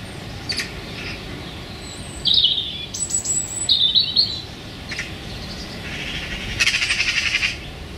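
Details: A Eurasian magpie, one of a pair in a small London park where the female seemed to beg for the male's attention, gives harsh, scratchy, wheezing calls in three short bursts about two seconds apart over a low background rumble.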